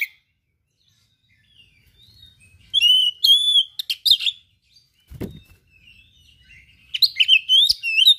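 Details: Oriental magpie-robin in energetic "gacor" song with filler phrases of rare material. Bursts of rich whistles and rapid twittering trills are separated by short pauses, with a dull knock midway.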